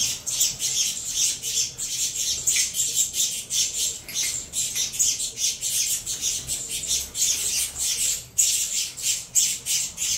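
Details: Captive saffron finch chicks from a Venezuela CMA and CVK 103 pairing beg loudly as they are fed, a long run of rapid, harsh high-pitched squawks pulsing several times a second with a brief pause near the end.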